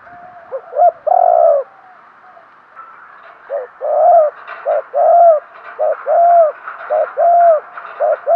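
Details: Spotted dove used as a lure for wild doves, giving one full coo phrase, then a steady run of paired calls: a brief note and a longer arched coo, repeated about six times.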